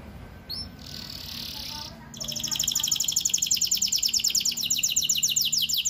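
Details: Canary song used to prompt young canaries into singing, heard as a rapid, sustained high trill of repeated crisp notes beginning after two seconds, preceded by a short burst of hiss.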